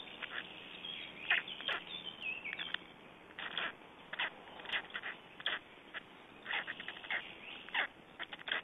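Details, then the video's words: Black storks in Estonia during a feeding, 21 May 2012: short harsh rasping bursts repeat irregularly, roughly one or two per second, with a few thin whistled notes between and a steady background hiss. "Estonian Black Storks - Feedings-1"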